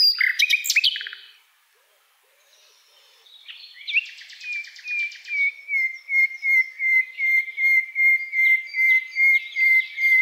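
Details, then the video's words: Common nightingale opening with a harsh burst, then a slow series of pure piping notes repeated about twice a second and swelling steadily louder. "Common nightingale | Luscinia megarhynchos"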